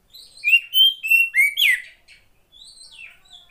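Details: Female Oriental magpie-robin, kept as a cage bird and used to coax lazy males into singing: a burst of loud whistled notes with bright overtones for about two seconds, then softer trailing phrases.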